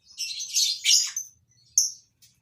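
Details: Lovebirds in a captive breeding colony give a dense, shrill chattering burst lasting about a second, followed by a pause and one clipped high chirp.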